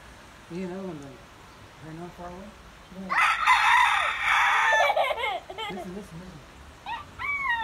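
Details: A rooster in Adjuntas, Puerto Rico, gives one loud, hoarse crow lasting about a second and a half, framed by lower clucking notes and a few shorter calls afterward.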